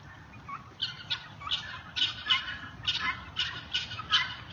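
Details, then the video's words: Guineafowl in a neighborhood, loud birds calling: harsh, buzzy, high notes repeated in a quick, steady series about every half second, with some overlapping calls and faint background noise. "Guineas in the neighborhood"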